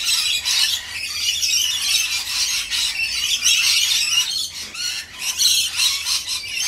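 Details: A noisy crowd of rainbow lorikeets calls while being fed: harsh, pulsing screeches and chatter overlapping without a break.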